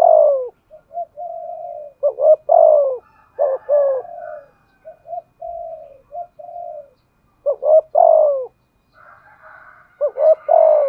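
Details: Spotted dove used as a decoy, cooing in the thúc gù manner with a giọng thổ voice. Clusters of quick hooked notes lead into drawn-out descending coos, interspersed with quieter level notes, repeating through the recording.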